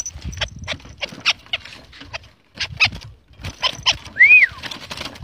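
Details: A white-browed crake lure recording for trapping: harsh, scratchy chattering bursts in quick irregular runs broken by short pauses, with one clear rising-and-falling whistled note near the end.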